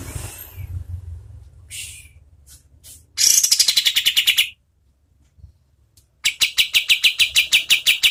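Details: Oriental white-eye in energetic medium-speed song, recorded as tutor audio for competition birds: a falling buzzy phrase, then a fast series of sharp, chipping notes repeated about three times a second, with a few short chirps between bursts.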